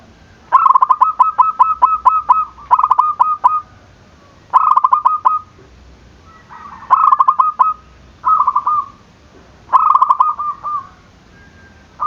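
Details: Zebra dove calling meant to provoke rival doves into answering: five or six phrases of rapid staccato cooing notes, each run trailing into a held mellow tone, separated by short quiet gaps.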